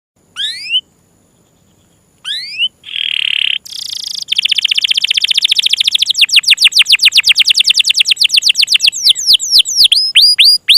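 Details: Canary tutor song in the local "gacor ngerol panjang" style, a lively bird with a long roll; rising upswept whistles and buzzy notes, then a long, fast trill of repeated notes ending in upswept whistles.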